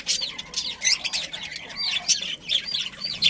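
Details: Captive budgerigars in a breeding colony of pairs and family groups give quick, high chirps and warbling, rising and falling notes that overlap in a busy, steady chatter, with soft wing flutters behind.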